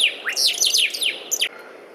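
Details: Saffron finch uttering a rapid run of high, bright, downslurred chirps over about one and a half seconds, ending with a final clipped note.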